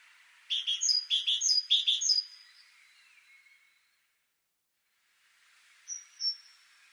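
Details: Great tit (Parus major) delivering a burst of repeated paired notes over about two seconds, followed by a soft falling note, a pause, then two separate high, thin whistled notes.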